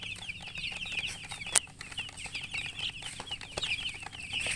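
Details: Just-born domestic chicks chirping continuously, many thin high peeps overlapping in a steady stream, with a brief sharp click partway through.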